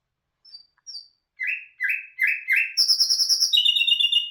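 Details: Nightingale, locally bulbul hazar dastan, singing: two thin high whistles, then four loud downslurred notes in a row, followed by a rapid shrill trill and a lower buzzy rattle, in a quiet setting.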